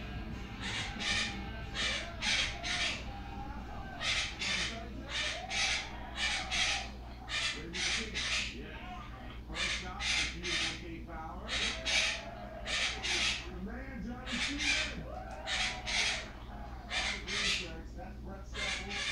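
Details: A pet monk (Quaker) parakeet, alone and unaware it is being filmed, gives harsh, raspy squawks in quick pairs and triplets, with mumbled talking chatter in between as it tries to sing a song taught by its owner.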